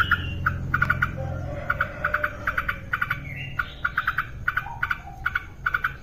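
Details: Yellow-vented bulbul, an active singer, recorded as training material for caged birds. Rapid groups of bright, bubbling notes repeat almost continuously, each burst three or four notes long, with faint low background noise.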